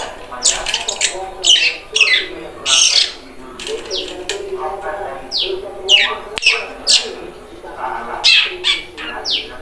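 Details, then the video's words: Young long-tailed shrike learning to sing: loud, varied phrases of harsh downward-sweeping notes and scratchy chatter, repeated in bursts about every second, with a steady background hum. "cendet trotol belajar ngeriwik"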